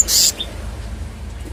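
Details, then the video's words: Kehicap ngombyok, or selendang biru, giving a single brief scratchy hiss, followed by a faint short note over low hum. "Selendang biru/kehicap ngombyok kemarin sudah bunyi"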